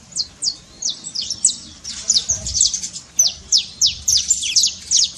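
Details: Saffron finch song played to rouse a silent canary, a series of sharp descending high chirps given in quick irregular clusters, with a brief denser burst midway.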